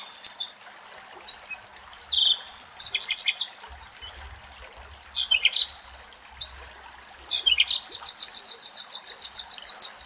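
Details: Common nightingales (Luscinia megarhynchos) sing in the foliage of an almond tree in Greek nature. The song has varied phrases of whistles, chirps and buzzy notes, ending in a fast repeated rattle of about ten notes, with faint background birds.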